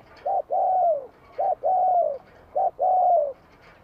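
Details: Spotted dove in Vietnam singing bell-voiced song in spring 2023: three loud phrases about one second apart, each a short clipped coo and then a long coo tapering downward, over a light background hiss.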